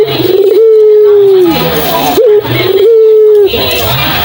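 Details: Puter dove, a call meant to stir other doves into song. Two long, smooth, level coos, each introduced by a quick upward flick and ending in a slight fall.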